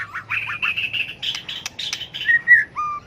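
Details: White-rumped shama in fighting song meant to excite other birds: short buzzy repeated notes, a burst of harsher chatter, then clear sustained whistles and a final sliding note.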